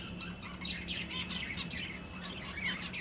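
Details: Breeding finches trade quick high chirps and twitters over a steady low electrical hum.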